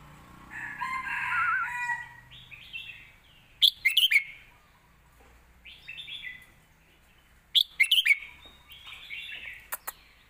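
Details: Caged red-whiskered bulbul performing a point-scoring song phrase used to train young birds: short bursts of bright, twisting notes at intervals of about four seconds, with soft warbling between them.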